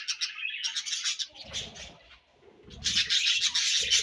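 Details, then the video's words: Budgies feeding and exchanging food: dense, scratchy chirping chatter, loud at first, a near-quiet gap with low rustling, then a burst of busy high warbling chirps. "Búdǵíéś Fúń & Ćhíŕṕíńǵ śőúńdś"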